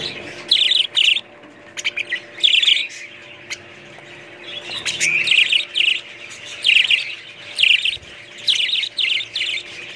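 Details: Repeated bright warbling bursts from budgerigars, each half a second or so, about ten in all, separated by brief lulls of softer chatter and ticking sounds.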